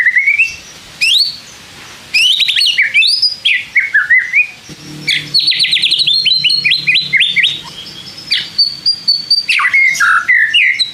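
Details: White-rumped shama song for provoking other shamas, a varied, rich stream of whistles, chips, slurs and fast trills with brief pauses, a faint low hum in the middle.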